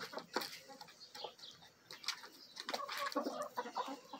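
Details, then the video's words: Backyard flock feeding, a Bielefelder and Golden Cuckoo Marans rooster with Marans and Araucana hens; scattered pecking taps, then a cluster of higher, clearer clucking notes near the end. "Bielefeld Marans Rooster & Hens Feeding Frenzy!"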